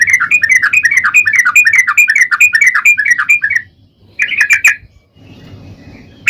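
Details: Sooty-headed bulbul singing a long rapid trill, played to make other bulbuls answer: a rolling bubbly run of wavering notes lasting over three seconds, then a short chatter and a soft low hum.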